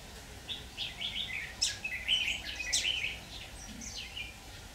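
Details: Decoy Red-whiskered bulbul singing during trapping on 26 October 2019, a burst of mid-pitched warbled, slurred phrases with a few sharp high notes, clustered in the middle seconds, with faint hiss behind.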